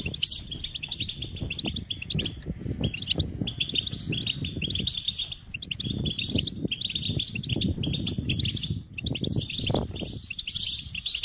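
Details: High, rapid goldfinch-style twittering and trilling runs throughout, over a steady low rumbling background with some soft thumps.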